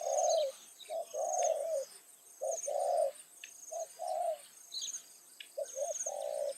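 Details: Spotted dove calling as a trapping decoy to draw in wild doves, evening, Thai rice fields. Rapid series of mellow coos: short clipped notes alternating with longer rolling coos, about five phrases. Soft insect chirps and faint chirping birds behind.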